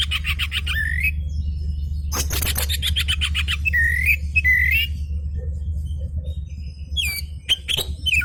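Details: Oriental magpie-robin responding to the song of an agitated magpie-robin: harsh rapid chatter bursts alternating with clear looping whistles, some rising, others falling, over a constant low mechanical hum.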